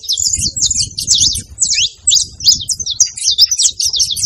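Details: Saffron finch chattering in high, sharp notes, quick chirps in clusters separated by brief gaps, with a soft low rumble in the background.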